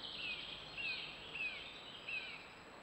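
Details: Male yellowhammer recorded live outdoors: four short high notes, each sliding slightly, spaced roughly half a second to a second apart, over a steady background hiss.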